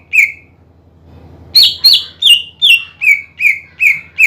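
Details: Greater green leafbird in loud song meant to rouse a rival bird: one lone whistle, a brief gap, then a fast string of bright notes starting high and stepping down, nearly three per second.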